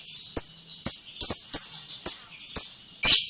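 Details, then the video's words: Lovebird delivering ngekek song: a steady series of sharp high clipped chirps, roughly two per second, ending in a harsh buzzy burst. "Burung love bird ngekek panjang banget 3 menit"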